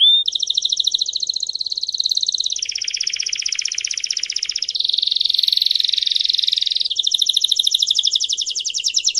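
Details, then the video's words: Canary song-training recording: a canary sings a continuous run of rapid, high trills, shifting every few seconds to a new rolling phrase at a different pitch and speed, with no other sounds. "ENTRENAMIENTO DE CANTO PARA CANARIO"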